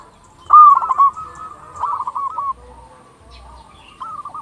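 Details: Local Indonesian zebra dove in full song, used to lure other zebra doves and prompt them to call: one loud cooing phrase of quick stuttering notes ending in a held coo, then softer phrases from other doves.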